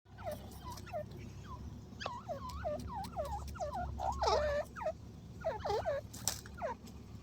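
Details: Desi grey francolin calling in a long run of short, downward-hooked nasal notes, several overlapping, rising to a louder cluster midway, over a steady low hum.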